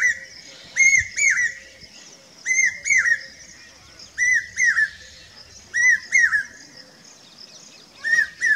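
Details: Common hawk-cuckoo singing in Rajasthan, India: shrill, whistled notes in quick pairs and triplets, each slightly rising then dropping, with groups repeated every second or two.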